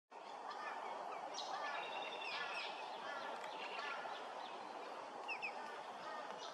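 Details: Double-barred finches at Hervey Bay, Queensland chatter constantly, with thin, high, twittering notes and short nasal chirps overlapping from several birds, over a steady background hiss.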